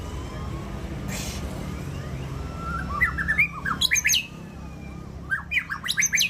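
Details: Champion white-rumped shama at the SMBF Ladong bird singing contest delivers two short bursts of bright, high chirps and quick down-slurred whistles, separated by a pause, over steady low background hum.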